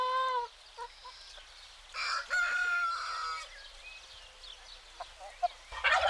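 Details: Rooster crowing in the morning in the Greek countryside: a short harmonic note opens, then a loud, sustained, slightly rising crow lasts about a second. Quieter bird chirps follow, and a noisy burst closes the clip.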